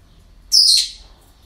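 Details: One loud parrot squawk from a breeding centre, harsh and hissy, steady for about a third of a second before tailing off, with quiet surroundings.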